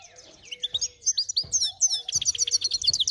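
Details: Finch × canary hybrids singing: a fast, varied string of high chirps, sweeping slurred notes and short buzzy trills, with soft low clicks beneath.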